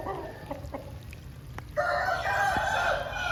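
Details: After rain, an Aseel cock lets out a loud, hoarse, sustained crow of over a second, following scattered soft clucks and taps, with continuous low background noise throughout.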